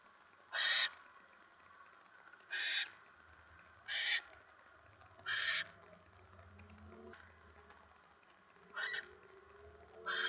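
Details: Barn owl at the nest on 10 November 2017 as a mouse is delivered: short harsh hissing bursts every one to two seconds, quieter and more distant, with low rumbling noise and faint murmurs between.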